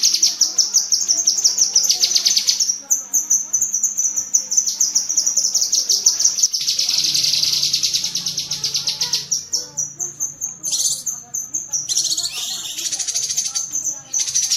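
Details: Long bouts of high, rapid chatter from a cucak kinoi bulbul, separated by short silences and mixed with a few higher squealing notes. Used as master audio to train pet birds.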